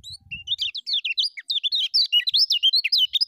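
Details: Lemon-bellied white-eye in full ngejos song, a master recording for training birds: a steady, rapid chain of high looping whistled notes, rising and dipping, filling over three seconds after a brief low thump.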